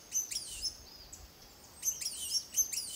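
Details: Blue-and-gold Tanager from Costa Rica, recorded by camera in 2021; two groups of quick, thin, high chirps with downward slurs, roughly a second and a half apart, against faint background hiss.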